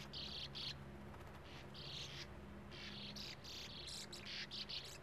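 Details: Sand martins at a breeding colony in a small earth mound's steep face beside a gravel-pit lake, young waiting at burrow entrances for parents; dense buzzy, twittering chatter in repeated bursts from several birds, with a low steady hum beneath.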